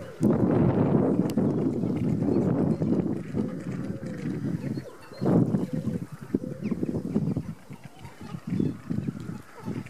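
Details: Courting cinnamon teal: a long stretch of low, gravelly chatter that starts strongly, fades, then returns in short uneven bursts of rapid notes, with faint outdoor hum beneath.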